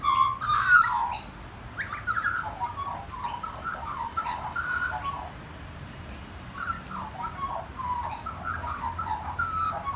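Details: Magpie singing in a garden setting: a continuous warbling run of fluting, bubbling notes with quick pitch slides, louder bursts near the start, over a steady low hum.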